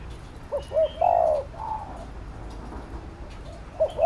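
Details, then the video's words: Spotted dove giving urgent 'thúc gù' cooing, meant to stir up a lure bird and train decoy doves: a few short, mellow coo notes, then a longer hoarse coo and a faint later one, over low background hiss. "Cu Gáy THÚC GÙ Siết Bổi Đẳng Cấp/ Kích Mồi Tập Bổi Căng Đét"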